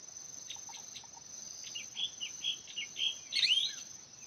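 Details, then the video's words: Hwamei singing, recorded in 2023: a run of clear whistled phrases, each rising and falling, growing louder toward a bright, intense burst near the end, over a steady high insect drone throughout. "noog leeb nkaub quaj zoo vệt đầu xám hót"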